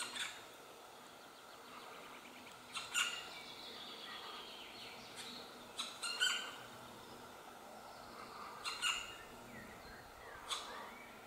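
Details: Black woodpeckers at a nest high in the trees, a last young female remaining while the parents call to urge her out. Rich harmonic calls ring out singly at intervals of about three seconds over a quiet forest hiss.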